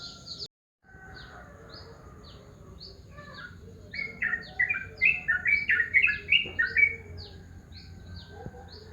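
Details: Morning calls of a yellow-vented bulbul. After a quiet start, a burst of rapid liquid, gurgling notes lasts about three seconds. Faint, regular high downslurred pips from another bird continue throughout.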